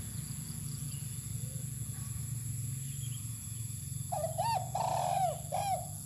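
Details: Spotted dove sunning outdoors on open ground gives one mellow cooing phrase late on: a short coo, a looping note, then a long drawn coo that sags at the end. Steady low rumble of wind or traffic underneath.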